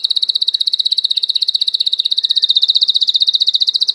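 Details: Domestic canary (Serinus canaria domestica) sings one fast, even trill of high, sharp notes, about fourteen to the second, held steady throughout with no other sounds.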